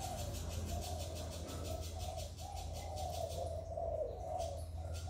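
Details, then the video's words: Spotted dove cooing, recorded to stimulate kept doves: a steady run of low, hollow coos with little break between them, over a constant low hum and faint rhythmic ticking high up. "Tiếng Chim Cu Gáy Giọng Hạp Bổi CHIÊU THÚC BỔI. kích bổi nhanh nổi"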